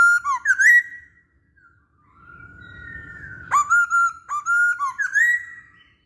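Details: Masked laughingthrush song for luring birds: bright slurred whistles, a long sustained tone beneath a faint hum, then a run of clear, evenly spaced whistled notes, some upswept, ending on a rising glide.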